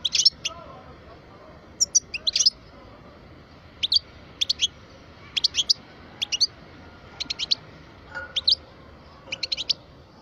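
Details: A twelve-year-old parva goldfinch calls in short bright bursts of two to four high chipping notes, spaced irregularly through the recording, over faint background hum.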